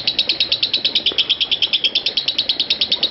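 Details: Lovebird 'konslet parah' ngekek, used as master audio for training lovebirds. Crisp, shrill pulses repeat evenly about three times a second.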